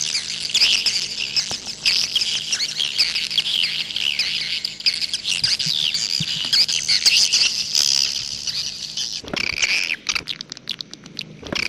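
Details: Swiftlets in a 'jaguar' style call sequence, long stretch of busy high twittering chorus, shifting near the end to sharper, separated chirp notes.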